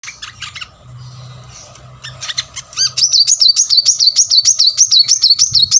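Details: Plain-throated sunbird in full, energetic song, played as a lure to get lazy caged birds singing: after scattered chips, a rapid run of high, sharp, see-sawing notes starts at three seconds, about three per second, over a faint steady hum.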